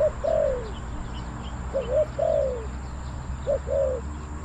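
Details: Spotted doves cooing while a decoy bird lures wild doves in Thailand: three phrases of a brief low note then a drawn-out falling coo, spaced about one and a half seconds apart, with a constant low rumble beneath.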